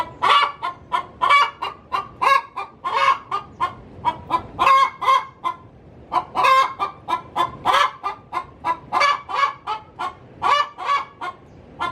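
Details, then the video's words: Hen in a coop about to lay an egg, calling in a steady rapid cackle: sharp, harsh clucks repeated several times a second with brief pauses. "Suara asli ayam betina cocok untuk digunakan memanggil ayam hutan"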